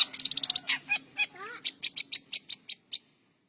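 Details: Long-tailed shrike in Indonesia singing in the morning, opening with a fast rattling burst, then a slurred rising whistle and a series of sharp clicky notes that slow and fade out.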